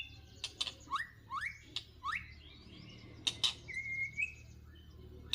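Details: Wild white-rumped shamas fighting at a trap in Northwest Vietnam: rising whistled slurs repeated about once a second, sharp clicking chirps between them, then a longer level whistle that lifts at its end.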